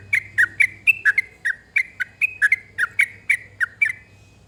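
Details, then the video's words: Yellow-vented bulbul singing for a recording used to coax other birds into song: a chain of mellow, slurred whistles alternating higher and lower notes, about three per second, with a soft hum underneath. "Burung Trucuk Bahan Ombyokan Biar Pada Bunyi"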